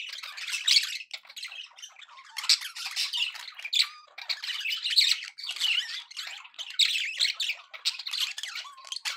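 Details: Happy pet budgerigars chattering: dense, scratchy warbling bursts with squawks and squeaks, nearly continuous with brief pauses, high pitched, no other sounds.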